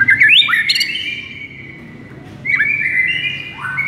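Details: White-rumped shama (murai) in a lure recording to stir a listless bird: an upswept whistle leading into a long steady note, a pause, then a similar flicked phrase and sustained whistles.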